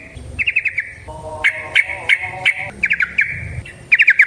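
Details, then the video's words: Trucukan (yellow-vented bulbul) singing in the 'ropel panjang' style: quick bursts of bright chirping notes in clusters of three or four, over a lower, steady, hollow-toned sound in the background. "Trucukan GACOR ngalas ROPEL PANJANG suara alam"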